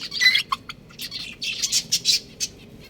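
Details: Chicks give loud, sharp high peeps in close bursts, some rising, others short and clipped, several birds calling over one another against a quiet background.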